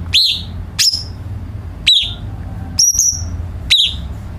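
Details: Cucak cungkok bulbul song meant for training home birds to sing more varied songs: five short, high notes, sharp chirps and downward slurs, about one per second with quiet gaps.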